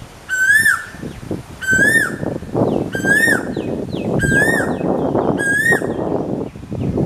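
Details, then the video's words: Asian koel calling: a loud, clear whistled note that rises and then bends down. It repeats five times at intervals of just over a second over steady low rumbling background noise. "Asian koel call"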